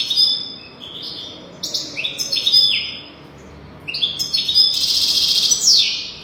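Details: Song of a European goldfinch used to teach young goldfinches their song: sliding, tinkling chirps in small groups, then a long, rich, buzzy twittering phrase near the end.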